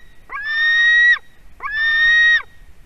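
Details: Durbe nest, 31 August 2020: a white-tailed eagle chick screams for delivered fish, giving two loud, sustained, harsh screams of nearly a second each with a brief gap between.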